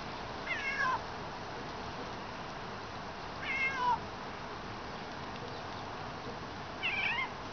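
A Eurasian jay gives three cat-like mewing calls about three seconds apart, each sliding downward, over a soft steady background hiss.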